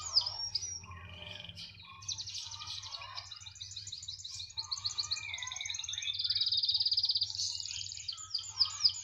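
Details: Canary in full, continuous song, said to keep singing wherever it is placed: a long unbroken run of high, fast trills and rattling rolls, swelling louder in the second half, with a short sweeping phrase near the end.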